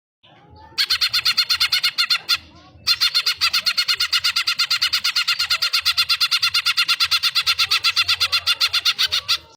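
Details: Hyper-singing greater green leafbird (cucak ijo) on a bird-training master recording: after a brief pause, loud buzzy chattering notes pour out in a fast, unbroken series of about three per second over a faint low hum.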